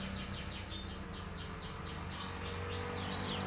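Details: Canary crossed with black-throated canary, a hybrid, singing a fast run of high downslurred notes, about four per second, that shift into rising-falling loops, over a steady low hum.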